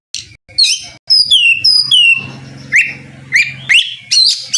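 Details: Oriental magpie-robin singing to prompt a rival to answer: clear descending whistles followed by upward-sweeping notes spaced about half a second apart, with a low humming background.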